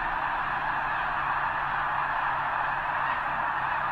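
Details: Vast gathering of snow geese near the east end of Potholes Reservoir ahead of their northward migration to arctic breeding grounds; constant, even chorus of many honking birds blending into one dense din.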